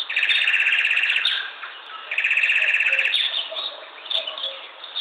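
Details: Bird chirping: fast buzzy trills repeated in long bursts about a second each, with shorter high chirps between, over a steady hiss.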